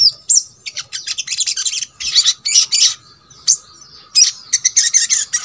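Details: Sogok ontong song used to prompt lazy birds of the same kind to sing: rapid high-pitched twittering phrases broken by brief gaps, with sharp metallic chips between them.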